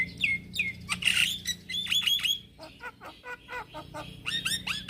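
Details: Calling to young companions, a male Javan myna mixes slurred, rising whistles with harsh scratchy notes and clusters of short chirps, all over a steady low hum.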